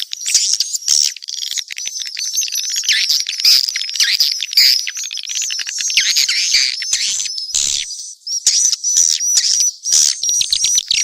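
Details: A blend of swiftlet calls: continuous high twittering chatter with wavering whistled notes layered above, broken by a few short pauses near the end.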